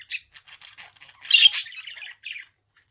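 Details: Budgerigar giving a few soft clicks and ticks, then a louder burst of harsh, buzzy squawks and chirps before trailing off into a short twitter and silence.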